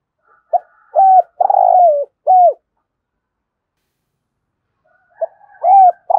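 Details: Thúc gù cooing of a spotted dove for luring wild doves: a quick pick-up note, a clipped coo, a long burry descending coo and another short coo, a pause of several seconds, then the phrase starting again.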